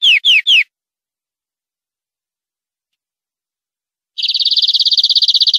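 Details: European greenfinch tutor song for training caged birds: three quick descending notes, a long pause, then a dense buzzy trill.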